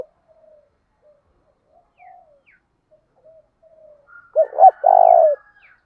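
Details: Spotted dove lure bird with 'thổ đồng' voice, calling to incite fighting. Several soft, faint coos come first. Near the end comes a loud phrase of two short coos and one long, purring, slightly falling coo.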